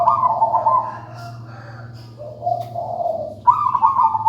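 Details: A melodious local wild-type zebra dove keeps up its song. Rolling trilled coos alternate between a higher and a lower pitch, with a softer low phrase mid-way, over a steady low humming background.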